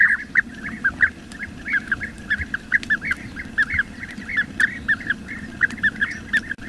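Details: Wild bee-eater, known locally as krik-kirik: short rolling chirps given in quick pairs and runs, steady through the recording, over a low rumbling background hum.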